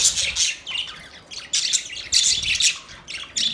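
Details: Chirping budgerigars give rapid, harsh, squawking chirps in clustered bursts separated by brief quieter gaps, all high-pitched and chattering.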